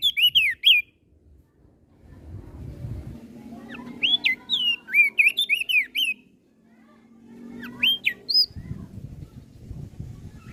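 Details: Song of a Flores crested white-eye that provokes other birds: loud clusters of quick whistled notes rising and falling, alternating with stretches of low rumbling noise and softer warbles, three bursts in all.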